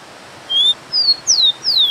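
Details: Rufous-collared sparrow (Zonotrichia capensis) song opening with a level pure whistle, then a slightly higher note and two falling slurred whistles in quick succession, all high and clear against soft background hiss.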